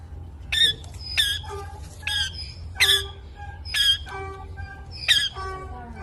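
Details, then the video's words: Parrot giving repeated sharp squawking chirps, about one every second, each with a short tonal tail, over steady low background hum. "Parrots Ki Awaz Tota ki video parrots sounds Parrot voice"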